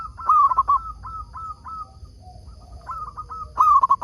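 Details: Lure zebra dove, a local bird kept to make other zebra doves reply, gives a loud rolling trilled coo, then a run of softer evenly spaced coos and a low note, and ends with another strong trill.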